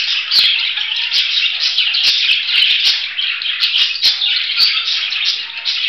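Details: Budgerigar twittering in a lively stream of squeaky chirps and warbled notes, with several crisp clicks throughout.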